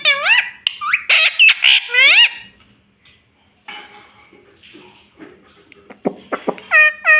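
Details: A green ring-necked parrot kept as a pet, talking in high, nasal, arching syllables in the first two seconds, then quiet rustling and clicks, and a final clear burst of speech-like notes.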